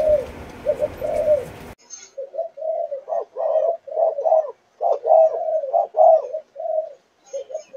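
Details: A young spotted dove, Malaysian line, aged four months, sings chiêu gù chạy coos. A noisy opening gives way to a clear run of quick, throaty, low-pitched coos, then a few softer notes.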